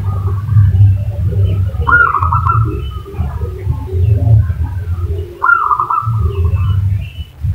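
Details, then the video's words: Zebra dove lure call meant to get another bird to respond: two rapid, bubbling trilled coos, each slightly falling and about half a second long, spaced about three and a half seconds apart, over constant low-pitched rumble. "pancingan perkutut 5 detik langsung nyaut"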